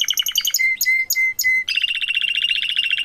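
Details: Canaries, parents with a chick, in rapid chattering trills broken by four clear, level, sustained whistles, then a long, fast, even trill.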